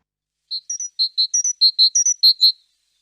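Great tit song: bright, ringing two-note phrases alternating high and lower, repeated quickly about five times over two seconds, with nothing else heard.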